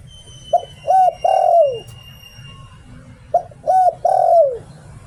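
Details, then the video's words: A decoy spotted dove repeats its 'liu tan' style coo twice, about three seconds apart. Each phrase is a brief note, an arched mellow coo and a long descending hoot, set against a quiet low-pitched background drone. "เสียง "หลิ่วตัน" นกต่อ เสียงชัดภาพชัด"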